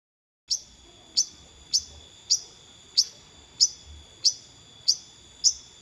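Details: Long-tailed shrike giving a sharp, high, clipped note repeated about every 0.6 seconds, nine times in a steady series. A faint low hum sits underneath.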